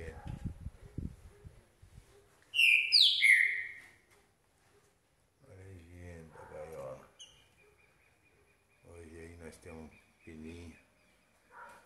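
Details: Captive Green-winged Saltator, about 2–2.5 years old and turning 3 in November, singing on a cold day after a bath at 6°C: one loud, rich phrase of a few quick, full whistled notes sliding down and up, about a second long, then a man talks.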